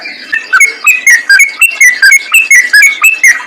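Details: Yellow-vented bulbul singing as a lure to attract other bulbuls, a steady chain of short liquid whistled phrases, each slurring up and down, delivered about every quarter second.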